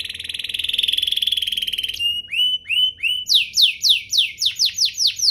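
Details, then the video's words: Canary singing to spur other canaries into song: a long, rapid buzzy trill for two seconds, then short upswept whistles and a series of bright descending sweeps repeated several times a second. "Pancingan kenari biar gacor"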